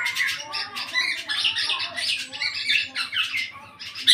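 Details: Black-naped oriole eight months of age, starting to sing fully, pours out a continuous stream of chattering, squawking notes and brief high whistles.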